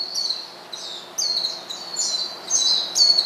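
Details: Quieter Oriental white-eye calls aimed at a rival: thin, high notes come in separate short phrases that rise and fall, over slight background noise.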